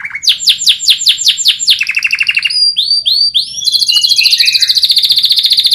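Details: Canary song for training other birds: a rising note, a series of sharp descending sweeps, a lower trill, upward swooping whistles, then a long fast high trill.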